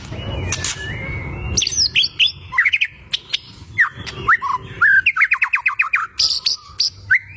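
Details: White-rumped shama lure song aimed at angering rival birds: a long whistled note opens, followed by varied slurred whistles and a rapid burst of repeated sharp notes near the end.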